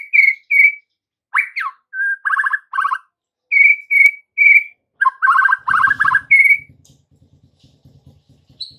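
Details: White-rumped shama song played in the afternoon as a lure to get young trotol and pastol shamas to answer and sing; clear whistled notes near two kilohertz alternate with buzzy rattling bursts, then a low humming drone at the end.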